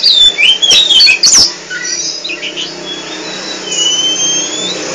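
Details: Oriental magpie-robin of the poci type, described as chatty and singing nonstop, gives bright high whistled notes and sharp clicks early on, then long thin sustained whistles over a faint low hum.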